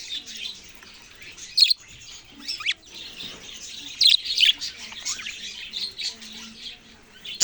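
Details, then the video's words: Budgies chirp and warble without pause, with gliding squeaky notes and several loud sharp chirps standing out, the last one right at the close. "parrot sounds and chirping sounds"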